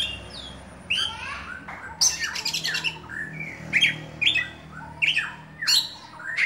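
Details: A caged Dewa Air oriental magpie-robin in full buka-bukaan song gives repeated rasping squawks and upward-sweeping harsh notes, roughly one every half second, mixed with brief buzzy chatter over steady low background hum.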